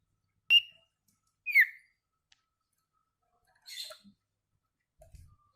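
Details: Sirtu song in the paud ceplekan style, a training recording for caged birds: two loud, sharp, downslurred whistles a second apart, then a softer buzzy note and faint clicks.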